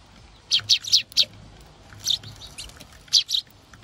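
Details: An angry Eurasian tree sparrow chick at a bird feeder "barks" with harsh, high chirps in quick clusters of two to four, with short pauses between bursts.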